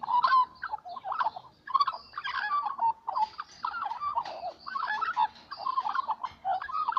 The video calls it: Littlle magpies singing in the morning